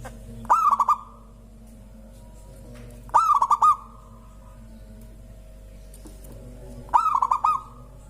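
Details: Local zebra dove singing in a way that draws other birds into song: three bursts of rapid staccato cooing pulses, each about half a second long, spaced roughly three seconds apart, with a quiet background between.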